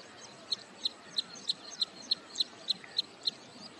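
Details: Wood sandpiper at Hoskote Lake on the outskirts of Bangalore, Karnataka, on its wintering grounds as return migration nears, calling for a long period. Sharp, high single notes repeat evenly about three times per second over a soft background hiss.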